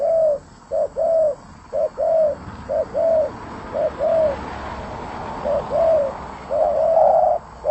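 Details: Spotted dove singing energetically. A steady string of short-then-long coo pairs runs through the whole passage, with a faint hiss of background noise that rises slightly midway.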